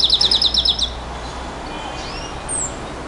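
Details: Nightingale, song in the 'bouh gnaoui goubaa' style: a quick trill of about eight crisp high notes in under a second, followed by quiet with faint thin whistles.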